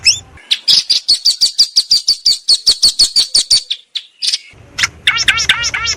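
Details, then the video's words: Long-tailed shrike recorded with a Samsung M30 on 16 May 2022 in a yard and rice field: a long rapid series of sharp high chips, a brief pause, then looping rising-falling whistled notes over a low hum. "Masteran Burung Cendet Full Isian Mewah"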